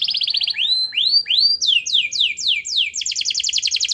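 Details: Energetic canary song played to stir a reluctant canary: a quick high trill, three rising slurred whistles, a run of falling swoops, then a rapid doubled rattle.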